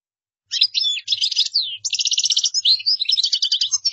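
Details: Gdara-style European goldfinch song used as a tutor for other birds: after a half-second pause, an unbroken rush of high, tinkling twitters, buzzy slurred notes and fast rattling trills continuing to the end.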